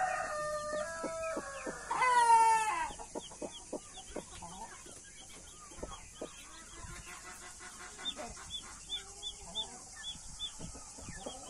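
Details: Blue mother hen with her baby chicks, Australorp and Brahma breeds: opening harmonic, nasal calls give way to short dry clucks repeated irregularly, with thin high peeping from the chicks scattered through the second half under a steady background hiss.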